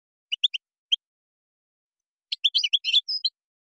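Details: Goldfinch in Moroccan song style (gazrat, srrr bertbertiou): a few isolated high tweets, then a quick tumbling cluster of twitters and a brief buzzy note, clean and quiet behind.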